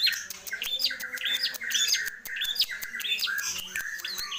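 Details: Long-tailed shrike, called cendet or pentet, in constant song full of imitated phrases. Quick repeated chip-and-slur motifs rise then drop, roughly four per second, each with sharp upper clicks.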